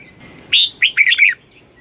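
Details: A single quick kích bổi phrase from a Red-whiskered bulbul: one strong whistled note followed by a tumbling run of three or four slurred, falling whistles.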